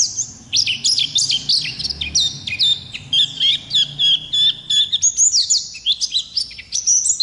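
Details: Oriental white-eye, pleci ngalas, in long gacor ngerol song for masteran: a rapid mix of high chips and a run of steady flat whistled notes, around three per second, then faster twittering again.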